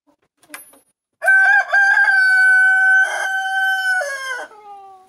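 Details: Chicken: in Siberia, one morning after a night of rain, one of three young cockerels gives one long, strained crow that holds steady and then drops away at the end.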